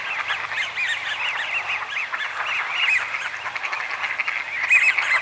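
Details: American wigeon, a rare winter visitor, at Donggang Township, Taiwan, on 30 November 2020; a steady chorus of arched, whistled notes, each rising then falling, overlapping continuously, with a few higher squeaky notes near the end.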